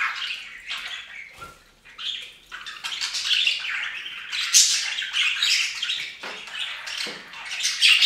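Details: Pet budgerigars bathing on a fountain keep up a steady, dense warbling chatter of buzzy chirps and squeaks, growing louder toward the end.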